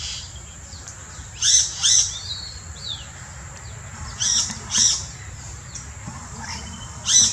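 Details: Yellow-rumped cacique in the Brazilian Amazon repeating loud harsh paired notes three times over several seconds, with short whistles between the pairs.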